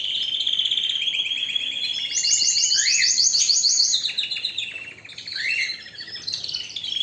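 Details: Strong canary singing: a steady high trill leads into a very fast, loud mechanical roll lasting about two seconds. It then breaks into lower rattling trills and chattering notes that fade and return.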